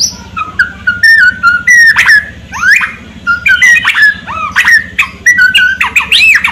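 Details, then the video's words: White-rumped shama (murai batu) in full song, in the style called tembakan ngerol kasar with kretekan: loud, varied whistled phrases, rising and falling slurs and sharp upsweeps, delivered in rapid bursts over a steady low hum. "Murai Batu Gacor Tembakan Ngerol Kasar Dengan Kretekan Setan"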